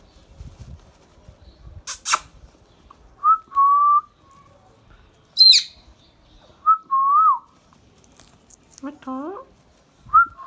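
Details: Pet Indian ringneck parrot calling: two harsh, broadband screeches, then a sharp, high squawk with a falling tone, mixed with several clear, mid-pitched whistled notes that waver and dip, repeated a few seconds apart, in a quiet room.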